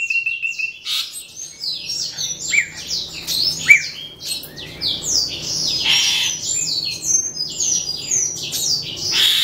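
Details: Asian pied starlings pour out a dense, nonstop jumble of high whistles, squeaky chirps and harsh chattering notes that tumble quickly over one another.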